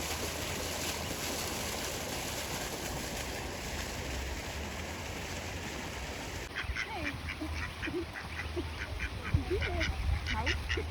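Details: A wild Canada goose family with 12 goslings in the Netherlands gives short, soft rising calls in quick, uneven succession over a steady low rumble of wind or water.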